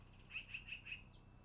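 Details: Four evenly spaced, bright, high clipped notes come in a quick string from the long-eared owl nest on 10-08-2018, early afternoon, with a steady faint whine underneath.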